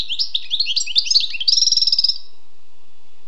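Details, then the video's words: Rapid tinkling twitter from a wild European goldfinch, sliding notes giving way to a fast, even trill that fades out. "Écoutez et appréciez le doux chant du chardonneret sauvage"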